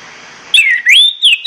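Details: Orange-headed thrush singing in the morning: after a half-second of quiet hiss, a loud clear whistled phrase slides down, rises again and ends in two short bright whistles.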